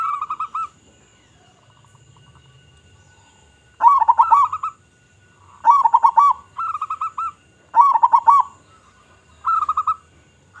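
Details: Local zebra dove singing frequently with a powerful voice, used to draw in other zebra doves: loud rolling coo phrases of arched and beaded notes, repeated about every two seconds with quiet gaps.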